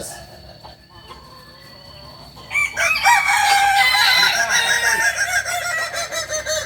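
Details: Kukuak Balenggek rooster at a Sunday joint practice contest in Ampang Kualo, giving a long harmonic crow that starts after a quieter stretch and holds steady with wavering, stepped notes to the end, over crowd murmur.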